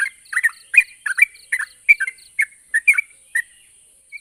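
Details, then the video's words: Trucuk or Yellow-vented bulbul, a song to set quiet bulbuls answering. Rapid chattering, liquid phrases repeat roughly every half second, then thin out into a few last notes, over a constant high hiss. "Burung trucuk macet bunyi dan mandek pasti nyaut dengar suara burung trucuk ini"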